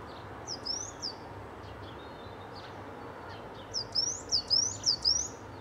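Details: Mistle thrush visiting a garden with its family of three juveniles: a few faint high notes, a pause, then a loud burst of six thin upslurred whistles repeated roughly every quarter second, over a low background hum.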